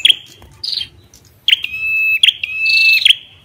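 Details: Ashy tailorbird singing with the female's calls: sharp high chip notes, each leading into a long, steady, level whistle, alternating with a buzzier, higher drawn-out note. A faint low hum sits underneath.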